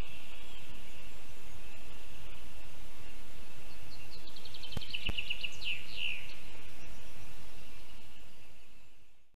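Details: At a Lesser spotted eagle nest in a spruce in Zemgale, Latvia, at 4:41 a.m. on 22 June 2022, as the young eagle tries to swallow a vole and the adult comes home: about ten quick, high yelping notes over a steady insect-like hiss.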